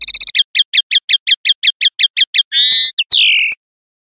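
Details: {'text': "Common linnet singing the clean 'limpio' style, 2021/2022: a brief fast trill, then a dozen crisp chirps spaced about five per second, a harsh buzzy note, and a long downward-sliding whistle."}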